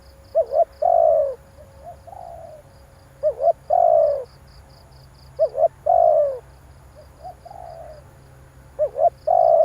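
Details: Spotted dove coos used for luring a decoy bird. Four phrases repeat at a steady pace, each a quick double note and a long descending coo, with a softer, quieter coo between them. High pulsed chirping and a low hum continue.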